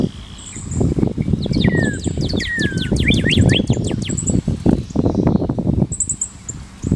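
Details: Cardeal vermelho, a cardinal whose male is all red with black around the bill base, singing: a run of steep, clear downslurred whistles, then longer falling slurs, over steady low rumbling noise, with high thin trills from other birds.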